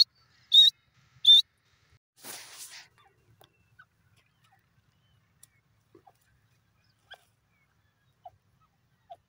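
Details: A francolin (dakhni teetar) gives two loud, shrill, high notes in quick succession, followed by a brief burst of rustling noise and a few faint scattered clicks.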